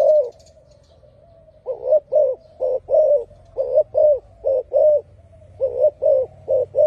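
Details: Loud spotted dove song, a steady series of deep cooing notes, mostly paired, with a soft humming coo linking them and a silent stretch at the start.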